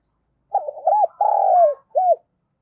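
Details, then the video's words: Lure spotted dove calling to draw in wild birds: a clear phrase of a quick double coo, a long buzzy falling note and a final arched coo, in quiet surroundings. "Chim Cu Mồi gáy gọi và thúc bổi mới nhất, chim cu gáy kích bổi"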